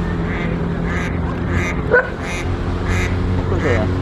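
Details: Mallard at Lake Bled, Slovenia, on 27 June 2022, giving short, nasal quacks about every two-thirds of a second, over a steady low rumble and faint human voices.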